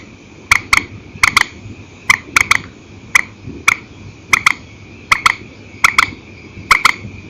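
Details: Night recording of a purple swamphen in single and paired calling style: crisp clicking notes, mostly in doubled pairs repeated about once a second, with a thin constant high tone behind.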